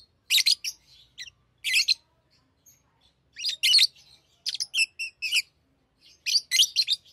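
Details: Tamed lovebirds singing and chattering while playing with rings; sharp shrill chirps come in clusters of two to four, separated by short quiet gaps, with a few thin squeaks between.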